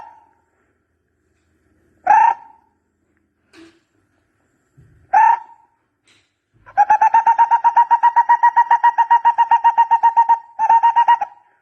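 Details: Barbet call for luring birds: a few separate hollow notes, then a long, fast, even trill of rapid repeated notes lasting several seconds, with a brief pause before it resumes.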